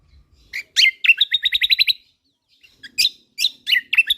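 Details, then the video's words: Vigorous Lombok white-eye in song for songbird training: loud sharp notes leading into a fast run of chattering trilled notes, a brief silence, then further scattered high, slurred chirps. "Masteran Burung Kecial Kombok Lombok Gacor Full Tembakan Mewah"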